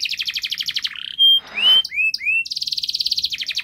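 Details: Canary singing a long, fast, tightly packed song used as a model for young canaries: rapid buzzy trills of high notes, a clear whistled tone, upslurred whistles, then another quick rattling trill.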